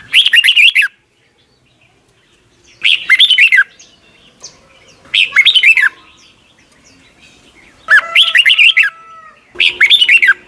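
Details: Song of a red-whiskered bulbul from Thailand, used to train caged young birds: five short bouncy phrases of warbling, looping whistles, with faint long tones from other birds in the pauses.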